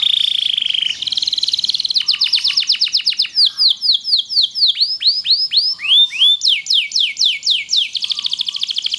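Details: Loper canary singing a long master song for other canaries: a steady whistled tone, then repeated falling chirps, curled looping notes and a closing rapid high trill.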